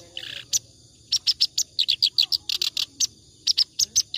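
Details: Clamorous reed warbler singing ngacor, a song for tutoring other birds: a rough low note, then a fast series of loud, grating, chattering syllables in uneven clusters.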